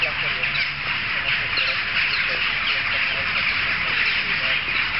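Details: Crowd of jackdaws calling together, heard from streets away; many short, clipped notes pile up into a steady, busy clamour that swells slightly toward the end.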